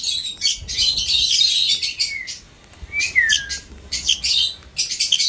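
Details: Indian ringneck parrot giving rough, raspy screeches and two short down-sliding whistles, with brief pauses between bursts.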